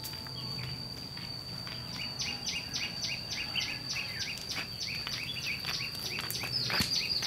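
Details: Red-whiskered bulbul lure bird used in fight trapping, giving harsh scolding challenge calls: a rapid run of short, sharp, downslurred chevron notes, about three per second. A steady high whine runs throughout, with a brief rushing noise near the end.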